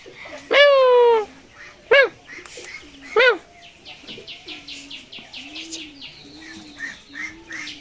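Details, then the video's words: Talking parrot (tiya pakhi) at the Mirpur 1 Friday bird market in Dhaka, Bangladesh, 13 October 2023, said to talk like a human: one loud drawn-out falling harmonic cry, two shorter sharp calls, then faint chatter and background noise. "কথা বলা টিয়া পাখি || মানুষের মত কথা বলে || funny Telking parrot"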